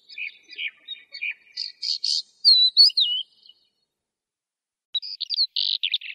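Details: Lark song in scattered bursts: high chirps and buzzy notes that build into a clear looping whistle. A few seconds of silence follow, then a final cluster of rapid chirps.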